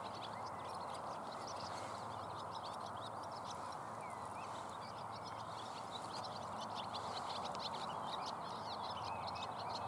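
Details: Large flock of common house martins in flight over a pond, sometimes landing in a tree; short high chirps and twitters scattered through the whole stretch over a steady broad hiss.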